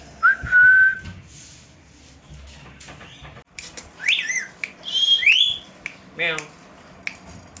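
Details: Indian green ringneck parakeets kept as pets, a family together talking at a mirror: a long steady whistle opens, followed after a pause by sharp rising squawks and swooping whistled notes over faint indoor background noise.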